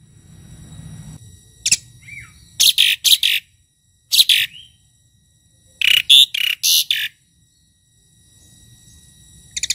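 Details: Tame Asian pied starling in 'isian' song, scattered through quiet: a single sharp note, a thin whistle, then clusters of two to four harsh buzzy bursts separated by silent gaps.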